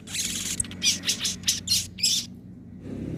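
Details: Crested jay in the 'nembak' and 'ngobra' song styles, a recording for training other birds: a run of harsh, buzzy, high-pitched bursts about every quarter second, then a pause with faint low background hum.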